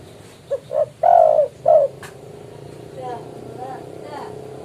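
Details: Spotted dove calling a rival, as used to lure doves for trapping: a few low, hollow coos rising in length and strength, then fading softer coos, with background hum.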